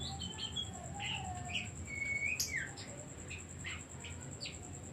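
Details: Oriental magpie-robin singing as a decoy to stir other birds into singing: scattered whistled notes and short sweeps, one sharp rising-falling phrase midway, over a steady high electronic whine and low rumbling hum.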